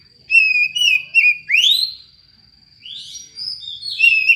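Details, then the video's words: Oriental magpie-robin with a strange-sounding song, used to lure other magpie-robins into singing: wavering steady whistles, a loud upward-swooping note, a brief pause, then more rising and level whistled phrases. "kacer yang suara anehh"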